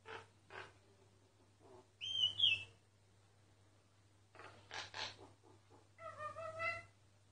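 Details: Unobserved myna singing: soft clicks and low notes, a loud downslurred whistled call, a scratchy chattering burst, then a series of rippling stacked whistles.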